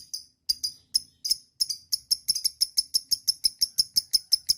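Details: Lovebird starting with scattered, sharp, clicking chirps that quicken into a regular rapid series near the end; recording meant to get other lovebirds to sing long ngekek chatter.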